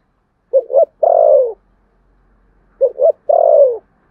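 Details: Spotted dove giving contest cooing in the Sấm Thổ voice style: two short clipped notes followed by a long, slightly falling coo, the phrase heard twice about two seconds apart, with no other sounds.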